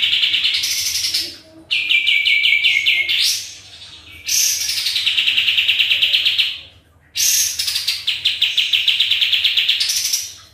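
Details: Lively sooty-headed bulbul lure song to draw replies: long bouts of fast, rattling repeated notes, some ending in upward sweeps, broken by short pauses. A faint low hum runs underneath.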